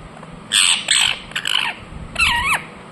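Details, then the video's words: Indian ringneck parakeet calling in harsh, buzzy squawks: three rough bursts in quick succession, then a pause and one longer grating squawk ending with a falling slur. "Parrot Chirping sounds Natural Sound | Ringneck parrot Naturals Sound"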